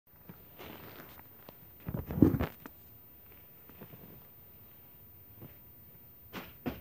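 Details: Quiet indoor room with footsteps, a burst of knocking or handling noise near two seconds and soft clicks near the end; no animal voice is heard.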